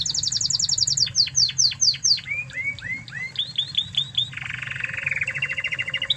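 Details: Master recording of an original Spanish Timbrado canary from Spain for tutoring canaries: rapid high trill, spaced falling notes, rising slurred whistles, then a long lower buzzy roll, with faint background hum.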